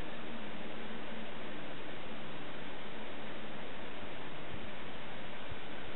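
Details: Dense, even hiss cut off sharply above the middle range, steady throughout with no animal voice.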